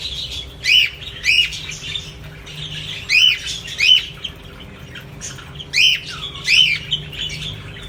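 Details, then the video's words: Household pet parrots giving sharp, rasping arched squawks in close pairs, each pair separated by a couple of seconds of quieter chatter, with a low steady hum underneath. "کورني طوطی _ parrots nice sound"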